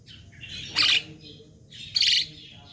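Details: Young black-winged myna (jalak kebo) in a training recording: two loud, harsh, rasping bursts about a second apart, set over faint chattering notes and low background hum.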